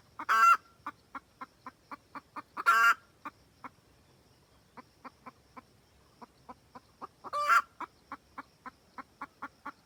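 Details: Hen of the red junglefowl calling for the cock, a trapping lure: loud harsh cackles open the sequence, trains of short clucks follow, a brief near-silent pause midway, then another rasping cackle and more clucks.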